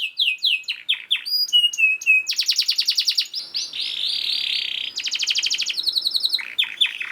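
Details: Energetic canary song played to coax quiet canaries into singing: a few falling whistles, then long pulsing rattles and buzzy trills in quick succession.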